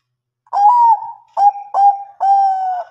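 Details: Zebra dove, Bangkok type, sings mbekur ngerot as a lure so lazy birds respond. After a short silence come four mellow coos at a steady mid pitch: a long slightly falling note, two short rolled notes, then a longer held one.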